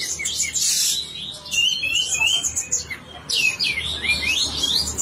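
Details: Sooty-headed bulbul in lively song with tail open, tutor material for other birds: a hissing burst, then rippling whistled phrases, a pause, and a fresh run of bright sweeping notes.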